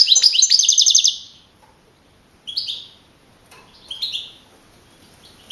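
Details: European goldfinch, a young wild-type champion of a 2012 singing contest in Navalcarnero, Madrid region, opens with a fast, loud metallic trill of about a second, then gives two brief sliding chirp phrases after a pause.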